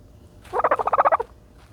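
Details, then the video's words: A single gobble from a turkey bathing in dirt, about nine rapid throaty pulses in under a second over a soft background. "the special noises of a turkey bathing in dirt"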